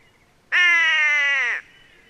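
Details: White-bellied Go-away-bird uttering a single drawn-out nasal call about one second long, level and buzzy with rich overtones, ending abruptly; otherwise quiet.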